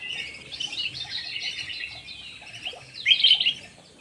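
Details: Black-naped oriole lure call: busy, bright chattering warbles held high in pitch, ending in a louder burst of sharp notes near the close.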